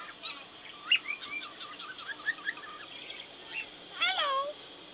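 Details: A 10-month-old male pet cockatiel on his play gym chatters in wavering, warbled notes, then says a harmonic, falling "hello" right after his owner, imitating human speech; recorded 14 October 2007.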